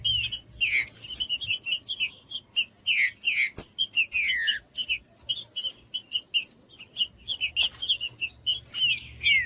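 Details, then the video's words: Stimulating song of a green-winged saltator for a cold bird: repeated bursts of downslurred whistles amid a continuous patter of sharp, high chirping notes and a faint steady tone. "ESQUENTAR TRINCA FERRO frio TRINCA FERRO CANTANDO"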